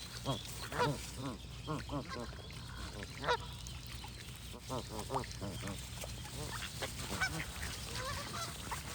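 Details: A goose flock honks steadily, short nasal calls in uneven bursts with occasional louder ones standing out, plus faint high bird notes and a persistent low hum.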